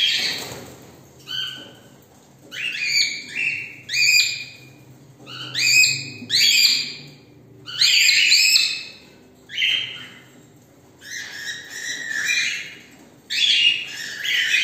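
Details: At the start of the day a group of pet cockatiels chatter and whistle together in loud, overlapping bursts of bright, warbling notes; cockatiel.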